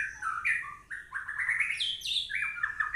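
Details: White-rumped shama singing a rich run of clear whistled notes that jump between low and high pitches, with short slurred phrases and a few sharper high accents, in quiet surroundings.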